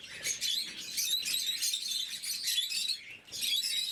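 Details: Blue-mutation lovebirds at morning feeding, a flock of pets giving bright, rapid chirping in bursts with a short lull before the twittering resumes.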